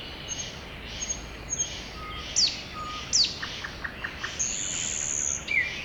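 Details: Spring forest chorus of birds, with high thin whistles, sharp down-slurred notes and a brief rapid series of ticking chirps, several songsters at varied distances over a quiet hissing background.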